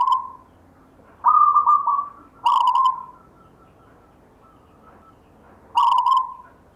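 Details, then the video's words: Local zebra dove singing in the gayer style, a bird left by a grandfather; several loud cooing phrases in close succession, some long and level, others opening with a rattling buzz, with quiet stretches between. "perkutut LOKAL alam GAYER tinggalan SIMBAH suara irama"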